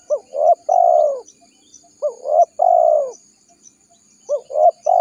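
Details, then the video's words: Spotted dove lure call for trapping wild doves: a steady series of phrases, each a short hiccup note, a rising coo and a long hoarse falling coo, repeated about every two seconds. "Suara Burung Tekukur Gacor Paling Ampuh Untuk Pikat Dan Pancingan"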